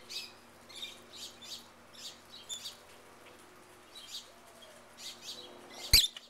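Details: Wild rosy-faced lovebirds calling in a backyard in Mesa, Arizona: short high chirps repeated roughly every half second, a brief pause, then more chirps and a single loud knock near the end.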